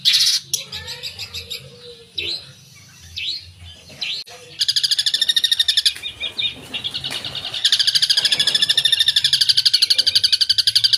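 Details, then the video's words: Long-tailed shrike (cendet) singing actively in full-fill style: scattered sharp upslurred notes at first, then long runs of fast, rapid-fire, buzzy chattering notes, about four per second, high-pitched and harsh. "Suara Burung Cendet Gacor full Isian"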